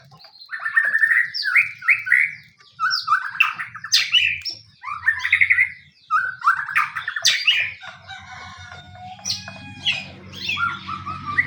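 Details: White-rumped shama lure song to set other shamas singing: rapid varied warbling, rising slurred notes and harsh squawky bursts in long phrases, broken by two short silences, a low hum in the background.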